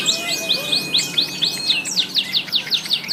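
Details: Canary singing a long rolling song (ngerol), in Indonesian 'gacor' full-voiced form: rapid series of high, quickly repeated downslurred notes forming a rolling trill over a steady thin whistle, then faster, brighter phrases.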